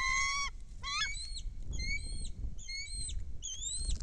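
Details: Bald eagle on a Kisatchie National Forest nest cam, 10 December 2023, as a foreign female lands with a fish and another eagle flies above; a strained squeal, then a run of rising whistled chirps over steady wind rumble.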